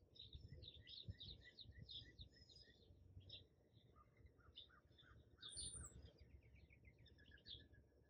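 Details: Hummingbirds around a feeder, recorded in the morning with an iPhone 11 on a tripod: dense high twittering chips, then a run of slightly lower, rapidly repeated squeaky notes, with steady low background noise.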